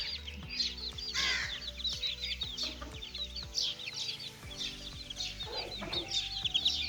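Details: Young chicks playing, many overlapping high-pitched peeps in quick succession, fairly faint, with a rhythmic low mechanical hum throughout.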